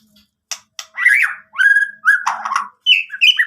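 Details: White-rumped shama, a lively singing bird, giving a varied song of short whistled phrases and harsh buzzy notes, some rising and some falling, broken by brief pauses.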